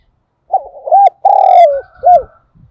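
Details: A spotted dove kept as a decoy gives one 'gáy gọi' lure phrase. It is a short coo and an arched note, then a loud, long, grainy coo falling in pitch and a final rounded note. Faint clicks and a light knock follow.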